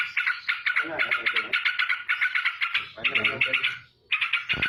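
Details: Straw-headed bulbul, wings flapping, pours out quick 'ropel' song: bursts of fast chattering notes separated by rougher rattling passages and one brief silence.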